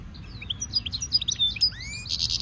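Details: Brief burst of stimulation song from a European goldfinch mule: jumbled twittering notes, a rising whistle and a short buzzy ending, high and fast.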